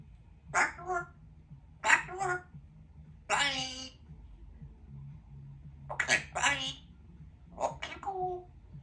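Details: Pet African grey parrot talking in a small room, saying "back to work" and "Ok, bye" as a goodbye: several short, speech-like word bursts with human-sounding syllables, separated by pauses, over a faint low background hum.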